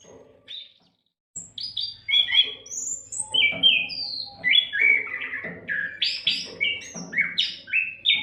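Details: Oriental magpie-robin in lively nonstop song, a recording used to tutor other songbirds; after a short pause, a rapid run of varied clear whistles and buzzy notes jumps between high and low pitches, over a faint low hum.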